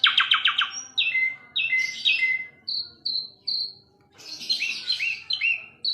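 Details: Asian pied starling opens with a fast stuttered rattle, then gives clear whistles and three even high piping notes before a busy burst of chattering phrases.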